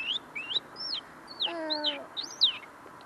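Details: Tame caged common linnet whose song is still developing: a few looping, slurred whistled notes with gaps, interrupted midway by a lower, buzzy harmonic sound.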